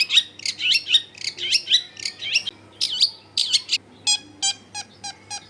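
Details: Long-tailed shrike singing to lure other shrikes into singing, recorded in a crowded residential area: rapid scratchy notes run into each other, then spaced, harsher repeated chips about three per second.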